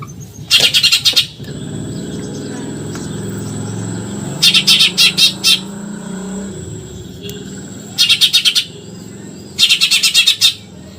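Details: Eurasian tree sparrow's 'tembakan nyerecet' shots, recorded for coaching contest birds: four bursts of fast scratchy chirps spaced several seconds apart, heard over steady engine rumble from passing traffic.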